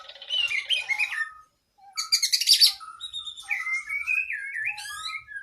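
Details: Oriental magpie-robin (kacer), a cage bird singing a long, full training song with varied fills: rich whistled phrases, sharp high buzzy bursts and gliding rising notes, with a short silent pause midway.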